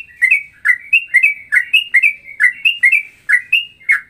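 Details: Straw-headed bulbul in ropelan style, a blend of Cucak Rowo and Cucak Jowo phrasing, delivering close, loud, liquid whistled phrases about three per second, each dropping then rising.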